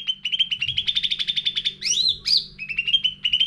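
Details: Sooty-headed bulbul lure song for stimulating caged birds, full of varied content: fast trains of short chirps near one pitch, rising slightly, broken by two loud sweeping whistled notes, then quick chirps resume; faint low hum beneath.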